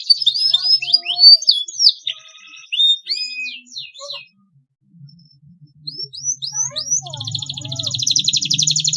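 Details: Canary in full, long-running song, used as a lure to stimulate young birds learning to sing: quick chattering whistled phrases and rising slurs, a short near-silent break midway, then upswept notes leading into a dense, fast buzzy trill over a faint low hum.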